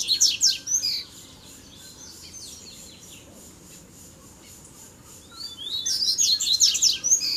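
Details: Double-collared seedeater males in a fighting duel, three coming in together. A loud scratchy volley of high chips comes at the start, then near silence for four seconds, then another intense burst of downslurred notes.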